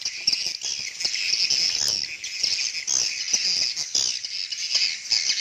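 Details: Swiftlets communicating: a continuous shrill twittering chorus with quick chirps and clicks overlapping, fairly even in loudness throughout.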